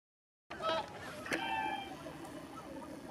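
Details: Taiga bean geese at Kabukuri-numa marsh, Japan, on 14 December 2019. After half a second of silence, a flock gives overlapping nasal honks with a few higher, sharper notes over a steady background murmur.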